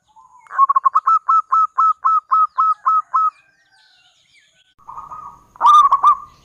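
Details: Local zebra dove, perkutut lokal, giving a lure song to prompt replies from other doves: a steady series of about ten crisp, evenly repeated coo notes, a pause, then a soft hum and a loud stuttered burst.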